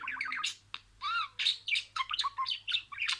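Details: Budgerigar imitating spoken words: a long smooth rising-falling whistled note stands out amid fast chirpy, buzzy chatter that runs in quick uneven bursts.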